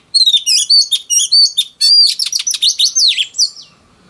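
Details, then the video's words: Song of a wild-caught female oriental magpie-robin performed to excite males, a dense fast sequence of high, sweet whistles and twittering trills, repeated phrases tumbling over each other for about three and a half seconds. "Choè than mái bổi lên giọng hót kích trống cực chất"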